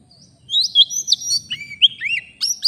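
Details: Forest Oriental magpie-robin singing in full voice: quick rising and falling whistled slurs and high thin notes in a lively, varied phrase, with strong upswept whistles near the end.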